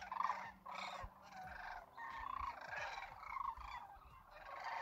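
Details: Sandhill Cranes wintering in a huge flock at Whitewater Draw near McNeal, Arizona, calling by the campground lake; bursts of rattling, trumpeting calls rise and fall in waves from many birds at once, with a faint steady tone beneath.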